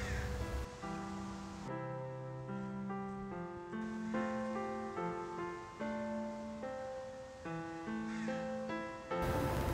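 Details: Steady instrumental music with sustained harmonic notes, framed by brief bursts of broadband noise at the start and end; no animal voice is heard.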